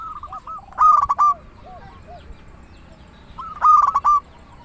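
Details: Two bursts of song from a local zebra dove, used as a lure for doves. Each burst is a few sharp, stacked staccato notes, with quieter looping coos between them and a low murmur behind.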